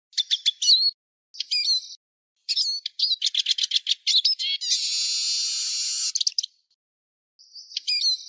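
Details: Eurasian siskin (Spinus spinus) lure/decoy song: a fast, high twittering of chirps and rising whistled notes, broken by a long wheezy buzz; no other sounds stand out.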